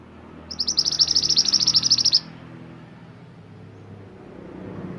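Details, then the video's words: Mantenan gunung producing a fast, piercing trill of evenly repeated high notes for about one and a half seconds, followed by quiet background noise. "Suara Kicauan Burung Mantenan Gunung"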